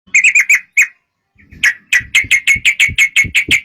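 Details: Sooty-headed bulbul song used as a lure to make other birds sing: a fast series of bright, clipped chirps, a brief pause, then a steady run of repeated sharp notes about seven per second.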